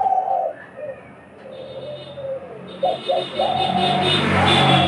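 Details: Two captive hunting (decoy) doves in Bangladesh call in turn, one starting when the other stops, in a calling contest: low, hollow coos in short phrases, with background hum, music and a rising noise toward the end.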